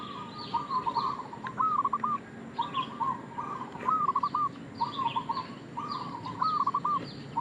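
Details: Zebra dove of a local strain calling as a lure: a series of trilled, stammering coos ending in a lifted final note, phrases about every second, with high chirps from other birds behind.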